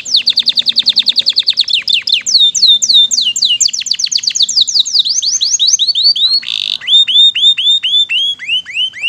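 A canary sings a fast, high-pitched song of sweeping down-slurred notes, repeated in rapid rolling tours that shift pace and pitch every second or two.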